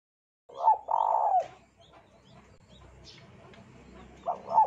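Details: Spotted dove song used as a lure to make other doves sing. A short low cooing note leads into a long, even, husky coo. A second coo phrase starts at the end, with a faint low hum underneath.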